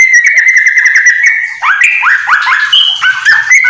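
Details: Yellow-vented bulbul singing a fast ropel song filled with white-rumped shama phrases, a tutor track for home-kept bulbuls: a steady whistled stream for a second and a half, then a series of sharp descending slurred notes.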